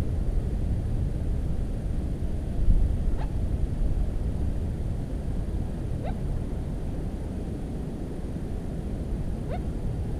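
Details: Little crake calling from cattails on 13 July 2017: short upward-sweeping nasal notes with a harsh, buzzy edge, three of them spaced about three seconds apart, over a steady low rumble of background noise.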